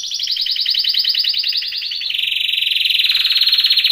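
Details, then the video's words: Canary song for training: a loud quick trill that shifts midway into a lower-pitched, faster rolling trill, growing more distinct toward the end. "BEST canary singing / CANTO CANARIO CANTANDO FOR TRAINING / CANARY TRAINING SONG"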